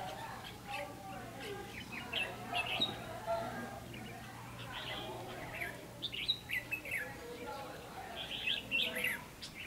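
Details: Red-whiskered bulbul, a decoy bird singing during trapping on 16 October 2016: short warbled, chirpy phrases in bursts of a second or so, repeated irregularly, with a low hum and men talking quietly in the background.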